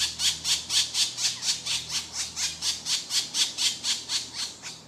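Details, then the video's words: Woodpecker nestlings begging as their mother brings food: a rapid, even series of scratchy, hissing squawks, roughly four each second, with a faint low hum underneath. "Woodpecker Bird mother feeding thier cute little hungry chicks"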